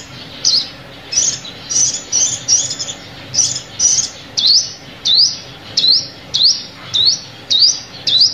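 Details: Trapping lure of a sunbird: first a run of thin, flatter high notes, then a steady series of sharp upward-sweeping chirps about twice a second.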